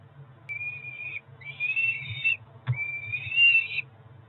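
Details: Peregrine falcon chicks, two ringed four-week-olds at a Cromer nest in June 2023, around feeding time: three thin drawn-out whining notes, slightly rising, with a sharp click between the last two, over a low hum.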